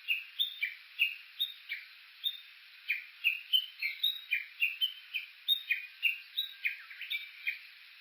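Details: Japanese bush warbler, Kuka, Suo-Oshima, Japan, at the foot of Mt. Yakushi, handheld Olympus Voice-Trek V-82 recording: a long chain of sharp downslurred chirps with brief pauses between bursts, clear against a quiet background.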